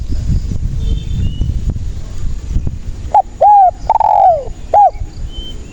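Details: Spotted dove, a lively singer used as a lure for trapping doves: after a noisy rumbling start, a short cooing phrase of clipped notes and a long drawn descending coo, then a final short coo.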